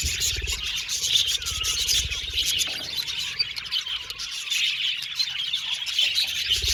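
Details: Happy budgerigars in an aviary colony, a dense, continuous chatter of high, rapid chirps and warbles from many birds at once, with faint low rumbling underneath.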